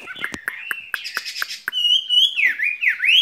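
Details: Caged skylark singing: a run of sharp clicks and short chips gives way to a sustained high whistle, then two swooping notes that dip and rise again.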